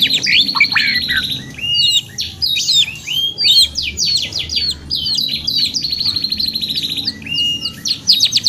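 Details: Canary singing continuously: varied whistles and bursts of steep chirps alternate with several fast rattling trills, briefly pausing between phrases, then sharp rising notes again near the end.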